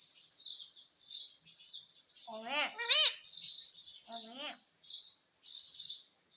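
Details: Pet parrot saying "mummy" in a speech-like, wavering, low-pitched voice, spoken twice between bursts of soft hissing chatter; indoor recording.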